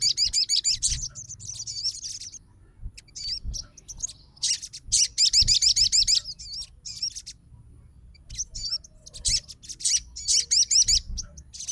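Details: Excited fighter sogon replying to another sogon's song with repeated bouts of fast, shrill, tightly spaced notes, long runs broken by quiet spells, over a low hum.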